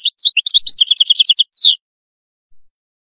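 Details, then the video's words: Atlantic canary in qadous song: a quick burst of high chirps leading into a fast, even run of repeated bright notes, closing with a falling slurred note before silence. "تغريد القادوس"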